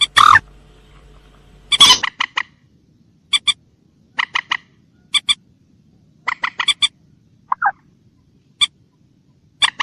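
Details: Common moorhen special call: a loud harsh squawk at the start and another near two seconds, then clipped kek notes, single or in quick pairs and triplets, with one brief lower note.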